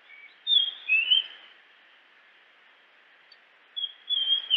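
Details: Japanese grosbeak in its natural habitat giving loud clear whistled notes, some sliding downward, in two bursts separated by a quiet pause, over a constant hiss.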